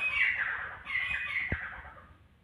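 Two harsh, grating bursts of a grey francolin's call, each under a second. A dull knock sounds midway through the second burst.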